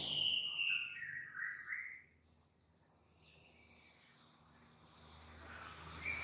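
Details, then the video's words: Oriental magpie-robin singing vigorously on a master recording used to train other birds: about two seconds of clear whistled phrases that fall and rise, then near silence, with a faint high note at the very end. "MASTERAN mUrai batu GACOR"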